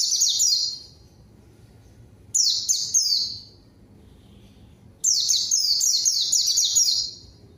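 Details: Lure song of a white-eye for calling rivals and prompting silent birds to sing: three bursts of sharp, high, descending twittering notes separated by short quiet gaps.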